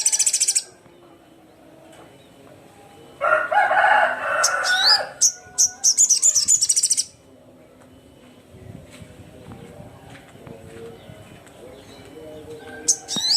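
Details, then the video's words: Crimson sunbird calling rivals with bursts of high, rapid chattering and rising squeaks, along with a noisy flutter of wing flapping in the middle and long quiet gaps. "SUARA BURUNG SOGON GACOR KERAS, GACOR JUARA"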